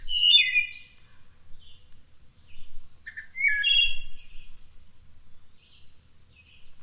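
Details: Wood thrush near Cincinnati, Ohio sings two separate phrases about three seconds apart, each opening with low notes, sliding into liquid fluted tones and closing in a high, silvery trill, with quiet pauses between.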